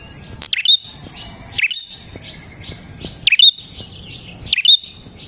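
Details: Prinia singing lively, used as a lure for trapping prinias: sharp downward-swept notes, each ending in a thin steady whistle, given four times with uneven gaps over a faint high continuous hum.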